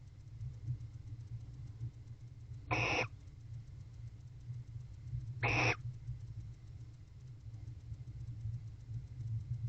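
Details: Bonded wild barn owl pair mating in a nest box on an October evening at 8:25 pm during winter courtship, giving unusual vocalizations: two harsh, hissing screeches about three seconds apart over steady low background hum.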